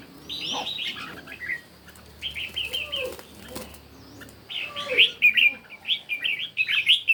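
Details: Red-whiskered bulbul competition singing in the morning: crisp, repeated chirping phrases in three groups, louder toward the end, with soft wing flapping between songs.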